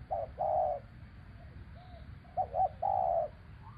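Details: Spotted dove cooing in traditional trapping, coaxing a captive bird down. A couple of short notes rise into a long hoarse coo, then a quiet pause with faint coos, and the phrase repeats, over low background rumble.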